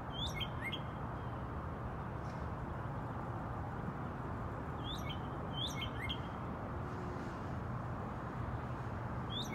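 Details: In Texas, a Northern cardinal gives sharp, downslurred whistled notes in quick pairs and triplets, repeated every few seconds over a steady low roar of wind or distant traffic.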